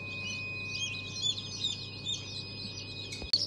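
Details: Ornamental chicks fresh from the first hatch of the year, January 14, 2023, peeping softly in high, brief notes, fairly scattered, with a constant mechanical hum beneath and a sharp knock near the end.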